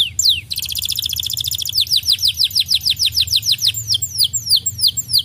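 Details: Lure song of a canary, used to stimulate birds to sing daily: a quick buzzy high trill, then a long even series of rapid falling whistled notes, brisk and regular, over low background hum.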